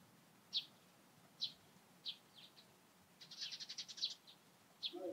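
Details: Distant Eurasian tree sparrow in the morning giving a few spaced, sharp chirps, then a quick stuttering run of rapid notes before more single chirps, against low background noise.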